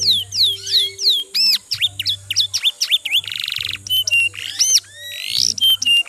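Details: Domestic posture canary, from a feature on the Yorkshire and Giboso varieties, singing a fast, varied song of swooping whistled notes, repeated downward-slurred phrases, a dense buzzy trill midway and high rising notes near the end, over a faint low hum.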